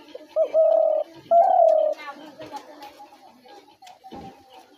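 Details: Spotted dove call used to draw doves into traps: a short note, then two prolonged level coos about a second apart, followed by murmuring voices and other faint background sounds.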